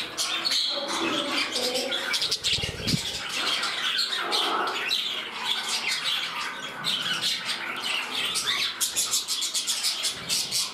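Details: Caged budgerigars indoors, one reclaiming its place beside another: bursts of rapid grating squawks and clicks in a dense stream, with fluttering wingbeats in places.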